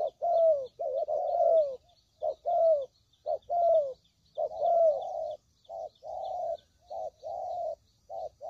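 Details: Tekukur, the spotted dove, cooing as a trapping lure: runs of low, slightly falling coos grouped in pairs and threes, about one phrase per second, with faint twittering of small birds behind.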